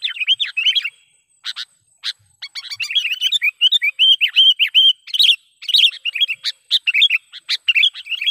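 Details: Sooty-headed bulbul calling as a trapping lure: a few sharp chips at first, then a long run of quick, bubbly, rolling notes repeated in short phrases with brief gaps.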